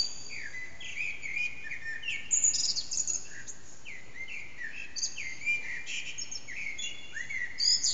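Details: Blackbird's early morning song near 4:40am in an echoing backyard, singer hidden, phone recording: a run of fluty whistled phrases, each rising then ending in thin high twitters, repeated roughly every second, over low steady hiss.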